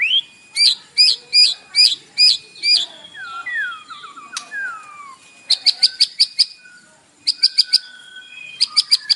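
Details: Morning song of a white-rumped shama, played to provoke a captive bird to sing; a run of loud repeated ringing notes, then lower slurred whistles and a sharp click, then rapid bursts of high staccato notes.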